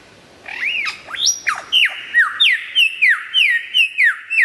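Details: Singing strongly, a lyrebird gives loud, clear whistles, first sweeping up and down, then a string of about eight ringing notes each falling sharply, repeated evenly about every half second.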